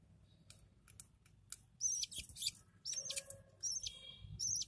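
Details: Lovebird chicks begging while being fed by their parents, with rapid, raspy high chirps in three bursts, each about half a second to a second long, amid faint cage rustling.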